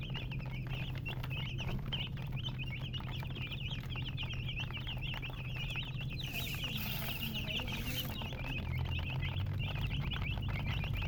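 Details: Chicks chirping together, a dense run of quick high peeps about four per second, continuous throughout, with a brief hiss in the middle and a constant low background hum.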